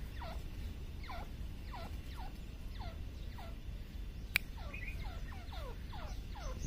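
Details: Grey francolin calling in jungle: a series of quick, high, falling whistled notes, about one every two-thirds of a second, over steady low rumbling background noise.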